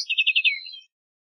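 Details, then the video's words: Short song phrase of a lark sparrow, a quick series of pulsed high notes slurring downward and fading out in under a second. "Lark Sparrow Singing! Lark Sparrow Calling! Sound! - Gorrión Arlequín Canto - Chondestes Grammacus"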